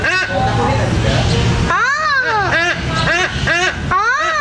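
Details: White-bellied sea eagle (Haliaeetus leucogaster), from Sumatra, begging for food: a run of loud, arched, nasal honking calls, about two each second, with traffic-like rumble and chatter at the start.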